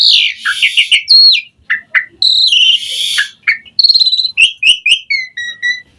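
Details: Asian pied starling song used to lure starlings: mixed harsh rasps, wavering whistles, a trill of rapid clicks and short falling whistled notes.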